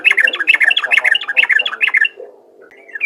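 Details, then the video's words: Sooty-headed bulbul, a kept bird, singing to prompt other bulbuls to sing: a fast run of bright, bubbly chirping notes for two seconds, then a pause and a short rising whistle. "burung trucukan ropel gacor untuk memancing trucukan lain agar rajin bunyi"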